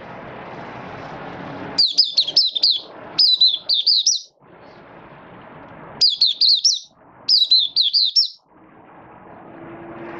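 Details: Malaysian white-eye in light moult, starting its song and building form, 24 August 2023: four rapid high phrases of chattering, down-slurred notes in two pairs, with faint traffic-like rumble and background noise between them.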